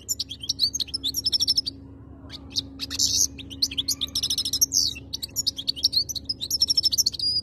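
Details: European goldfinch singing: rapid bursts of high, tinkling twitters and buzzy trills with clear whistled notes, pausing briefly near two seconds before resuming in dense chattering phrases over a faint low hum.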